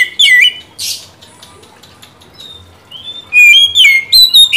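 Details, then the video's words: White-rumped shama (kacer) in captivity, singing as a lure for a stalled bird: a short whistled phrase, a harsh burst, a long quiet stretch, then loud rapid sliding whistles at the end. "Pancingan dan terapi kacer macet/bahan pasti langsung nyaut rajin bunyi"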